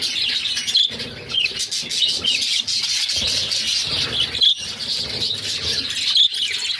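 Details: Six captive budgerigar chicks being fed by their mother, with a dense, buzzy, scratchy chatter of begging calls running without a break. Brief thin whistled notes rise above the chatter near one, four and a half and six seconds.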